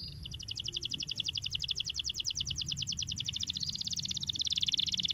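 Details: Canary song used to prompt young canaries to sing: a long, fast rolling trill of paired high notes that runs on without a break, with steady low background noise.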